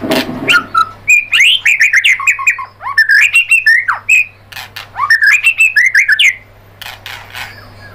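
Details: White-rumped shama song used as a lure to stimulate other birds to sing: rich, varied whistled phrases, some rising and falling slurs and short sharp notes, delivered in quick bursts separated by brief pauses, with a low steady hum underneath.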